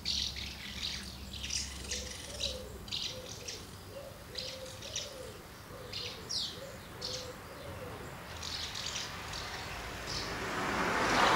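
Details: A crowd of house martins at two nests during feeding of young, 24 August 2012; scratchy high chirps repeat irregularly throughout, with a low cooing series of short notes midway and a rising rushing noise at the end.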